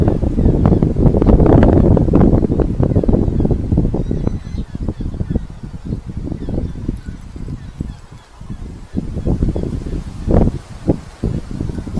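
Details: Rumbling wind and low broadband noise buffet the microphone throughout, with no clear animal calls.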